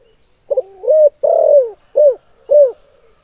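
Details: Actively calling spotted dove in the KUK 2 style: a soft double stutter, a drawn-out coo, a longer rolling coo, then two short falling notes, all low and mellow, with a quiet background.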